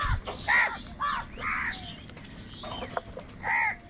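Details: Crows contending for food call loudly. A few drawn-out, nasal caws are spaced with short gaps, one harsh call near the start and another loud one at the end.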